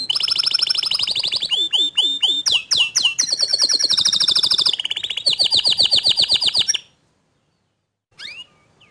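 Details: Canary song, a young bird answering right after hearing another canary sing: continuous loud, rapid trills and rolling phrases, with sweeping down-slurred whistles and bright rattles lasting nearly seven seconds, then a pause and one brief chirp.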